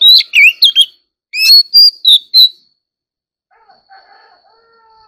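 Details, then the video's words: Oriental magpie-robin in competitive singing: a quick burst of loud, varied whistled notes sweeping up and down, a short pause, then four more clear whistled phrases, followed by near silence with faint soft tones. "choè than kích hót || choè than hót đấu"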